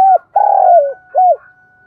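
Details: Decoy spotted dove kept to lure wild doves, giving its standard calling coo: a short soft note, then a long buzzy coo that slides downward, then a short arched coo, all low and mellow against a silent background.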